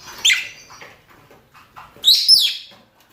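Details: Calls of male and female rosy-faced and Fischer's lovebirds for mating: a loud, harsh, shrill screech opens, soft twittering follows, then a second piercing burst of screeching chirps near the end.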